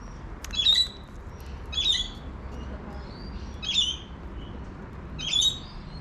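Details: In an Adelaide backyard in South Australia, a wild cockatoo gives four bright, raspy, high squawks spaced one to two seconds apart against a low steady hum.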